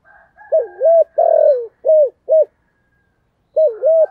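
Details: Spotted dove calling loudly in the thổ sấm voice style. It gives a low double coo, then a long buzzy note falling at its end, then two short clipped coos. After a pause a new phrase starts with another double coo.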